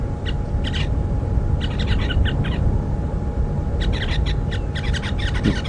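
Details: Red-billed buffalo weavers building a nest in a tree at Djuma Game Reserve, South Africa, on an afternoon in October 2015, give bursts of harsh, rapid chattering notes in several clusters, over a steady low engine or wind rumble.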